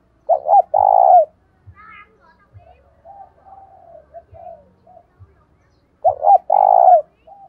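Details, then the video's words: Caged decoy spotted dove calling wild doves in, 'thổ đồng' style: a loud burst of short notes ending in a drawn-out rolling coo, repeated about six seconds later, separated by quieter low cooing and a brief higher note. "Chim Cu Mồi giọng đồng pha + thúc rút bổi + gáy gọi bổi + cu gáy giọng thổ đồng"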